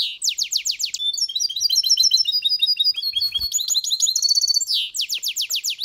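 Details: Mule goldfinch hybrid mating with a caged female goldfinch. The song opens with rasping downslurred trills, runs into bright twittering phrases, then returns to buzzy trills. A faint knock is heard midway.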